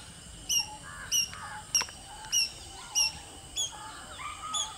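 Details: Fulvous-breasted woodpecker foraging for insects on a thorny tree branch, 22 June 2020, gives sharp, high 'pik' notes about one every half second, with softer warbling from another bird underneath.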